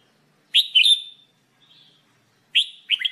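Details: Singing red-whiskered bulbul, recorded for training: clear whistled phrase of three rising notes, a faint soft note, then another upswept whistle and a quick run of short chirps at the end.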